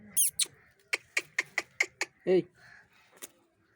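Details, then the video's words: Angry talking parrot making a fast series of short, clipped, clicking calls, about eight in a row, with a lower harsh squawk near the end. "cute angry parrots Talking गुस्सा वाला मिट्ठू"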